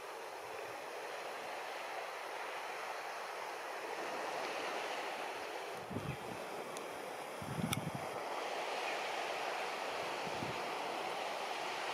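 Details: Steady roar of surf and wind with a few brief knocks and clicks; no animal voices stand out.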